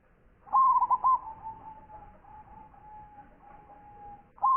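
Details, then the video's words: Perkutut lokal, a local zebra dove noted for its big voice and champion singing, gives one bubbling coo phrase. A faint steady tone lingers afterwards, and a second phrase begins at the very end. "Perkutut Lokal Gacor Suara Besar"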